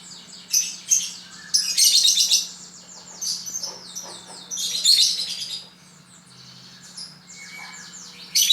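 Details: Lovebird kept as a pet, chattering song of high buzzy bursts and squeaky twitters in irregular loud phrases with quieter gaps between them.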